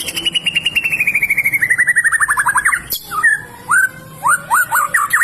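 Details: Song of a white-rumped shama, meant for teaching other songbirds, opening with a fast stream of falling notes that slowly drop in pitch, followed after a click by spaced rising whistled slurs.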